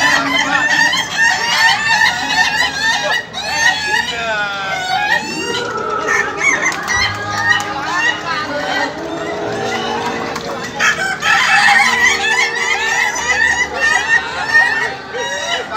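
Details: A laughing chicken contest final, where many roosters give long stuttering, laugh-like crows that stretch and overlap, with a drawn-out wavering note in the middle, people talking throughout.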